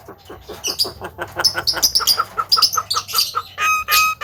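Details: Household Javan myna, a mimic said to cough, laugh and call out to girls, delivers a fast chattering series of short clicks and buzzy chirps, ending in two longer, loud whistled notes.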